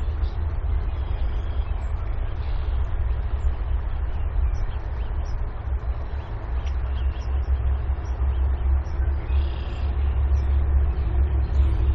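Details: Steady low rumble of vehicle traffic and engine noise, with no animal calls heard.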